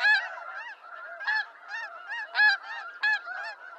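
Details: Wild snow geese of eastern North America giving loud, high nasal honks, each a short yelp repeated roughly every half second, over softer honking from the rest of the flock.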